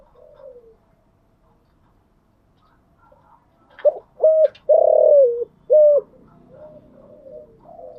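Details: Spotted dove in the early morning delivering one standard-tone coo phrase midway: short hollow notes, a long wavering coo falling at its end, and a clipped final note, with faint softer cooing before and after.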